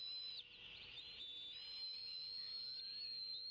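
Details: Bald eagle nestlings at Decorah on 25 May 2016 at feeding time, two eaglets competing over a delivered fish; busy high chatter merging into a sustained, level whistled tone, plus a faint rising note, over low hum.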